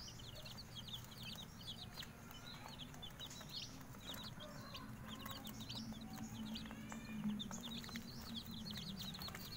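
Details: Young Bangkok chickens out sunning in the morning, giving a continuous stream of short, high, down-slurred cheeps in quick bursts, with occasional lower notes and a constant low droning background.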